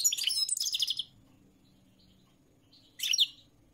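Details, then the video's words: A dense second of high, jingling European goldfinch twitter, followed by near silence and then one short buzzy, chirping burst near the end. "تغريد الحسون الملكي 🐦 chant de chardonneret goldfinch song"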